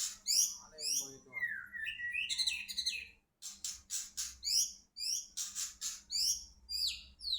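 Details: White-rumped shama of the Medan type, flicking its wings while singing: a quiet but rich, varied song of high sweeping whistles, downslurred notes and rapid chattering bursts, in short phrases separated by brief pauses.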